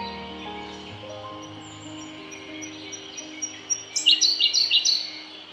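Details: Siberian blue robin singing on Mt. Haruna: a few soft, thin introductory notes, then a fast, loud run of high, sharp chips near the end, over continuous low droning tones.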